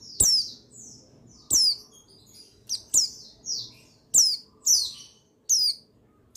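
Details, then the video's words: Male buxtoni white-eye giving loud, high chirps that drop in pitch, each followed by a softer trailing note, repeated roughly every second. Meant to provoke other white-eyes to sing. Faint low hum behind. "Buxtoni Menaikan Emosi Burung Pleci Bahan Agar Pleci Bustomi Gacor Cepat Bunyi"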